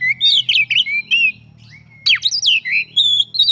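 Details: Kacer, the Oriental magpie-robin, in full isian song. Loud, fast slurred whistles and twisting phrases break off for about three-quarters of a second of near silence, then resume with steep swoops and a long thin whistle.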